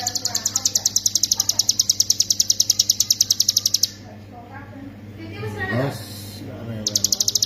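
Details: Hill prinia singing fast repeated high notes in the 'ngebren' manner, kept as a master recording for training songbirds. The notes run for about four seconds, give way to a gap with a low voice and a rustling noise, then restart.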